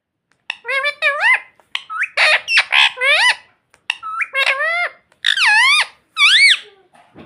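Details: Indoor pet ring-necked parakeet, a speech mimic, utters a rapid series of shrill, harsh, up-and-down squawks mixed with buzzy, rasping notes over about seven seconds.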